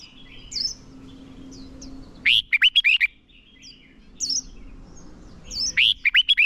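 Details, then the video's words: Red-whiskered bulbul used as a decoy, singing combative song to call wild birds and train singers: two loud phrases of quick, slurred whistles, with softer high chirps and a low hum between them. "Chào mào mồi hót đấu gọi bổi căng lửa, luyện chào mào sổ giọng hót đấu căng"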